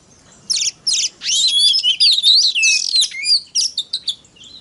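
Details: White-rumped shama singing to rouse other shamas: two short buzzy bursts open, then a dense run of slurred whistles and rasping notes, ending in clipped repeated chirps.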